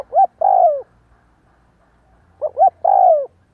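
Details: A spotted dove coos for decoy training, heard twice: short rising notes followed by a long, loud, downward-slurring coo. The background is quiet apart from a faint low hum.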